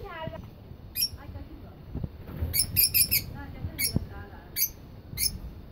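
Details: Cockatiels in a breeding colony: short, high, ringing chirps come singly and in a quick triple burst, about every half second to second, over low background rumble and faint clatter.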